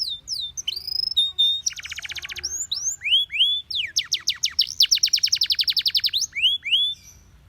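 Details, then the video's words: Canary song for training: curling whistled notes, a dense buzzy trill, then a long fast series of repeated falling notes before soft closing slurs. "Your canary immediately sings when you hear this canary chirp"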